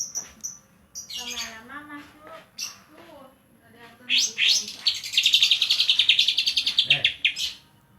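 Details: Greater green leafbird of Banyuwangi origin singing its kapas tembak fill: opening whistles, a warbled stuttering passage, then a long, fast, pulsing trill of high chattering notes.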